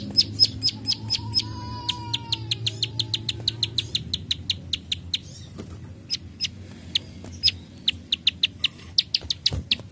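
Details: Plain prinia in rapid trains of sharp, dry 'klik' clicks, high-pitched and evenly repeated, with a faint rising-falling whistle early on and a low steady hum beneath.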